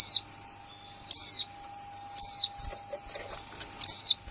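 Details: New female white-eye in 2020 repeating high, descending whistled 'líu' notes, four within a few seconds at roughly one-second spacing, faint twitters and a constant low hum in the background.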